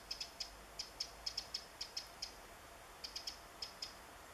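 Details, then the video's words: Eurasian wren calling in woodland while searching for insects on 27 July 2014: sharp dry ticking notes, often in quick pairs, about sixteen over four seconds with a brief pause midway, against faint steady background hiss. "Zaunkönig - Eurasian Wren calling in the woods"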